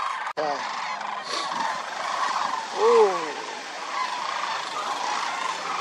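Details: A wintering crowd of more than 20,000 migratory sandhill cranes at Willcox Playa Wildlife Area gives a steady background chorus, and one close bird lets out a loud, descending rolling call around the three-second mark.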